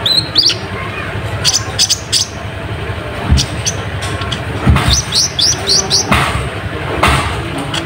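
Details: Lure song of an olive-backed sunbird (kolibri ninja), played to provoke rivals: short high chips and rapid runs of sharp, thin notes, with low rumbling noise beneath.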